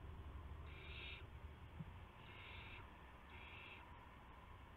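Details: Owls with prey deliveries to owlets just after midnight on March 19, 2016; three drawn-out, wheezy hissing calls spaced about a second apart, set against a dense low-pitched rumble.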